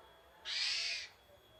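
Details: One loud, grating, hoarse burst of about six-tenths of a second from a Javan pied starling, its characteristic basic song, over a quiet background.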